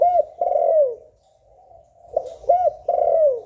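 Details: Spotted dove in the 'hạp bổi' voice style, meant to stir newly caught doves into cooing. Two bursts of deep, mellow coos: a hooked note and a longer falling one, a pause, then three more coos repeated the same way.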